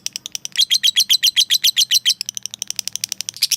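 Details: Lovebird calling a rival to provoke it: a fast, even run of sharp, high chirps, about four per second, peaking in the middle and then fading into softer, looser chips.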